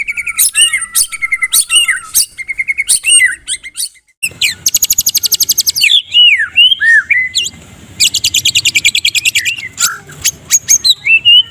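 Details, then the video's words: Medan white-rumped shama in full morning song meant for tutoring other birds, mixing whistled slurs, fast machine-gun trills and harsh rattling bursts delivered almost without pause, loud and close. "KRETEKAN MURAI MEDAN MENJERIT NEMBAK RAPAT COCOK UNTUK MASTERAN DI PAGI HARAI"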